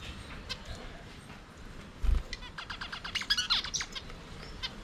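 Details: Budgerigars in an aviary, singing and playing: after a dull thump, quick clicks and short sharp chirps build into a dense burst of high twittering.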